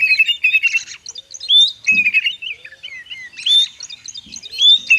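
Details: Cage-kept white-rumped shama pouring out a rich, jumbled song used to stimulate reluctant shamas: quick chirping runs broken by clear rising whistles, phrases tumbling one after another with almost no gaps.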